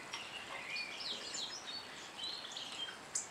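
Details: European goldfinch eating black sunflower seeds at an automatic feeder; a steady stream of high, thin twittering chirps and short trilled notes, with one sharp click near the end.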